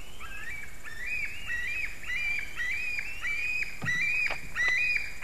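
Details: White-tailed eagle calling on 21 July 2019 at 22:10: a run of short yelping notes, each with a quick upward kink, repeated about twice a second over a steady noisy background with a few clicks.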